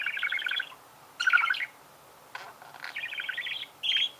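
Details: Budgerigar singing in a few longer chattering phrases of fast, buzzy, mid-high notes, separated by pauses of about half a second.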